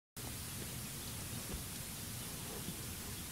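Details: Steady hiss of rain or broadband noise with a low rumble throughout, and no animal call can be picked out.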